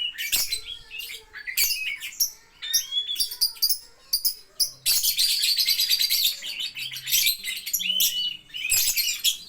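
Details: Lovebird singing in ngetik style: quick series of clipped high chirps and ticks, then several seconds of rapid, continuous shrill chatter with short breaks.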